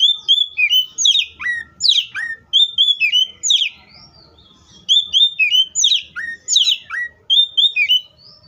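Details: Oriental magpie-robin delivering rich whistled song: steady high notes, steep downward slurs and quick twittering figures, given in two long runs split by a short pause.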